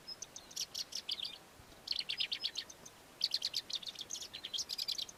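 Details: A southern African Melodious Lark pours out mimicry of other local birds: dense, scratchy chatter of fast ticks and buzzy high notes in three long bursts, with a brief thin whistle at the start.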